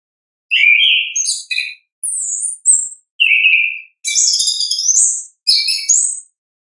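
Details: Orange-headed thrush singing its natural voice in ngeplong style, loud clear whistled phrases and buzzy trills jumping between mid and very high pitches, separated by short pauses, no other sounds.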